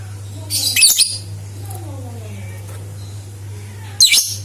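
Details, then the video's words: Lovebird chatter intended to prompt other lovebirds to sing: a loud, rasping, high burst of quick chirps, a long quiet gap with faint sliding tones, then another short shrill burst over a low hum. "Suara Burung Lovebird Untuk Pancingan"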